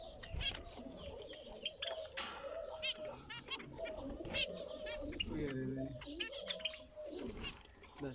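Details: An Isabel zebra finch breeder pair gives quick, nasal, tooting calls, repeated in busy bursts over a low cooing hum.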